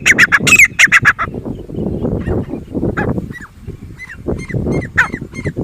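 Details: Loud harsh grey francolin notes burst out rapidly at the start, then quieter arched, bent whistle-like notes repeat roughly every half second over steady low-pitched rumble.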